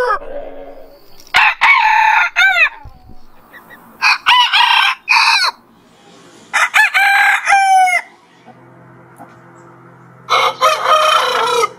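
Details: Morning rooster crowing: four separate bursts of about a second each, with bright harmonic notes rising and falling in pitch, separated by quieter stretches and a low hum.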